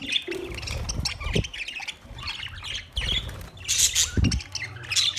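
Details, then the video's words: Budgerigars eating soft food together on 3 October 2023, giving bursts of scratchy squawks and short chirps with pauses, mixed with lower pecking and rustling noises. "Budgies eating sounds"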